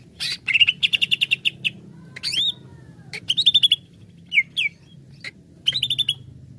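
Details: Greater green leafbird (cucak ijo) singing as a lure to quickly provoke other leafbirds into excitement; bursts of rapid, ringing repeated notes, about ten per burst, broken by short pauses and slurred rising whistles, over a low steady hum.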